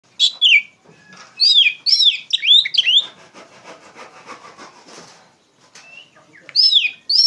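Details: Oriental magpie-robin singing loudly, used as a lure to tutor untrained poci birds: bright bursts of rapid, sweeping whistled phrases at start and end, separated by a quieter scratchy rasping passage.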